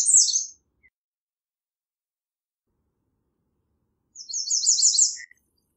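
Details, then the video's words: American redstart song: a brief high, descending phrase, then after about three and a half seconds of silence a rapid series of six or seven high, slurred notes ending abruptly. Nothing else is audible. "American Redstart Singing - Candelita Norteña Cantando"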